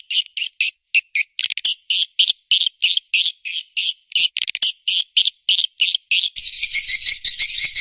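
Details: High swiftlet chirps used by Indonesian swiftlet farmers as a calling and roosting lure, repeated quickly and fairly evenly, giving way near the end to a dense, continuous twittering chatter.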